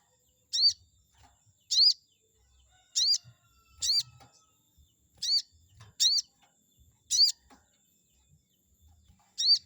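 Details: Lure sound of a chestnut-backed scimitar babbler to provoke an opponent bird: about eight sharp, high, rising squeaks at irregular intervals of roughly one second, with faint low rustling.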